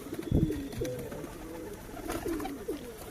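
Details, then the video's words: Domestic pigeons, including giribaj and mardasi birds, still inside the loft and calling a lot; soft, low cooing phrases repeated through the clip, with a thump and a man calling in the background. "ওরা এখনো বেরনি। খুব ডাকাডাকি করছে।"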